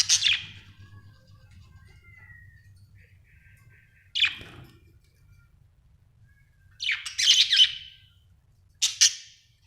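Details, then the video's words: Happy pet budgerigar giving scattered, harsh, high chirps: a sharp note, a pause of about four seconds, another burst, then a scratchy cluster and a final short chirp. The room is otherwise quiet. "Happy budgie chirping sound"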